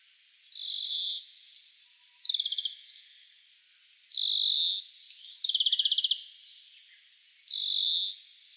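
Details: An Oriental (grey-capped) greenfinch alternates long, high, nasal buzzes with quick rattling trills, about one phrase every one to two seconds, against a quiet background. Recorded 6 April 2008 in Shioya, Tochigi, Japan.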